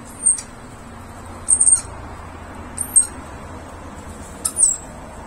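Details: Rainbow lorikeet (Trichoglossus haematodus), after eating jujubes on the ground and then taking nectar in a camellia tree, gives four brief, thin, very high squeaks spaced about one to one and a half seconds apart over a low steady background rumble.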